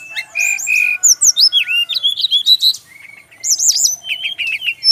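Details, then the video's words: Male brown-chested jungle flycatcher in Bali: steady clear whistled notes, then a run of quick downslurred chirps, a short pause, and bright repeated twittering phrases. "suara burung SIKATAN RIMBA"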